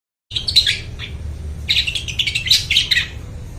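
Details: Long-tailed shrike in full song, used as a lure to train mute shrikes: loud bursts of harsh, scratchy chattering notes, a short phrase then a longer dense run after a brief pause, over a low steady hum.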